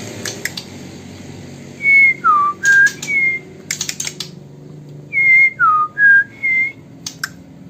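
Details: White-rumped shama of Sumatran origin, kept in Bengkulu city, Indonesia: pure whistled notes in two matching phrases of three, each note falling then levelling, separated by a pause, with sharp clicks and tapping around them.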